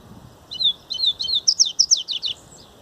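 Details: Grego song of a coleiro baiano, the double-collared seedeater: a short series of slurred whistled notes building into rapid, bright, sharply rising-and-falling chirps, about a dozen in two seconds, ending with a soft trailing note.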